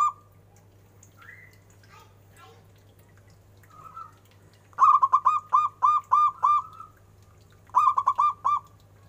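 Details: Big-voiced local zebra dove: after a few faint scattered notes, two loud bursts of rapid, evenly spaced hollow coos ring out, each ending in a drawn-out note, over a continuous low hum.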